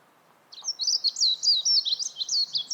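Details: Warbling white-eye pouring out a fast, high, continuous warble of tumbling notes after a short silence.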